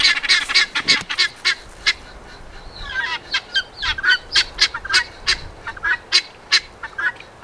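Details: Helmeted guineafowl, a domestic flock kept in a home yard in mid-April, giving harsh, grating calls repeated in rapid, uneven bursts.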